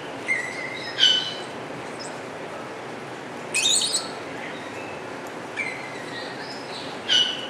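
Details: Wattled starling at Avifauna, Alphen aan de Rijn, Holland, singing short separated bursts of high squeaky, scratchy notes and thin whistles, about five phrases with quiet gaps between.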